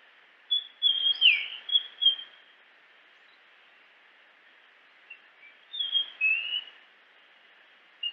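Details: Japanese grosbeak singing: a phrase of clear whistled notes with a sharp downward slur near the start, then a quiet pause of about three seconds before a second, similar whistled phrase and a lone note at the end.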